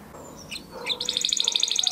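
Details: Training song of a crested Huppe Spanish Timbrado canary bred in 2020, a flock bird: a few scattered high chips, then a loud, rapid, ringing trill of evenly spaced metallic notes over light background hiss.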